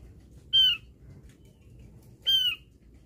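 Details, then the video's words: Javan grey-throated white-eye, lure sound: two short, nasal, harmonic notes about 1.7 seconds apart, each bending downward at the end, with quiet low background noise. "pancingan bunyi burung opior jawa"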